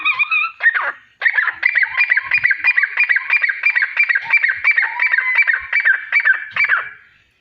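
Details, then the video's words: Nine francolins (teetar) call together while flying naturally, giving a loud, harsh run of rapid squeaky notes, about three per second, fairly steady, with a brief pause near the start. "Francolin Calling Sound | Non Stop Teetar Boli"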